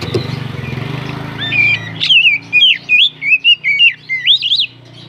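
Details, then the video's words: Oriental magpie-robin song played to provoke rival birds into singing, loud whistled notes in a fast string of short looping phrases, over a steady low engine-like hum. "Pancingan burung kacer naikan emosi"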